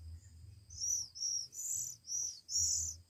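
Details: Oriental magpie-robin nestlings one week old, fed by hand; five loud, high, buzzy squeals in quick succession, each about half a second, with a low hum behind.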